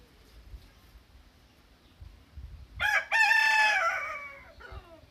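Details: Rooster crowing in the morning against a quiet background with low rumbles: a brief opening burst, a short gap, then a long strident harmonic note that gradually fades, ending in a soft falling tail.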